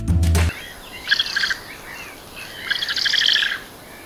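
Eurasian Spoonbill giving two short bursts of harsh, nasal, rapidly stuttered calls, the second longer, after a brief low thump over a steady background hiss.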